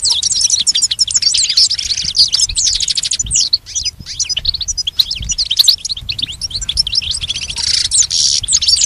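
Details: Goldfinch song used as a training recording for pet goldfinches: a long, dense run of fast, high twittering chirps and trills with metallic notes, continuous and scarcely pausing.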